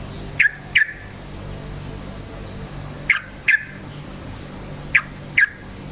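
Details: Yellow-vented bulbul (trucukan) in full, lively voice, used as a lure to rouse other bulbuls: three well-spaced pairs of short, bright chirping notes, each pair quick, over a low steady hum.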